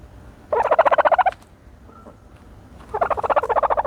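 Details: Two loud, rapid rattling gobbles, each made of many quick pulses, from a turkey taking a dirt bath, with a brief quiet gap between them.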